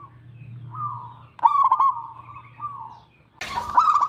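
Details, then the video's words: Local zebra dove cooing in drawn-out, vibrating notes that rise and fall over a low steady hum, broken near the end by a sudden burst of loud noise. "perkutut lokal gacor"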